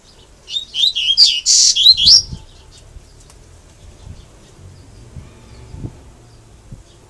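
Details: High, rapid phrase from a caged double-collared seedeater singing in the 'grego' style: looping whistled notes and a buzzy trill packed into under two seconds, then faint low knocks in the background.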